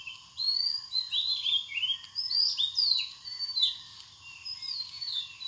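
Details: Purple sunbird in Bangladesh: a rapid, high, thin twittering of sweeping and warbling notes running almost continuously, with a steady low hum beneath.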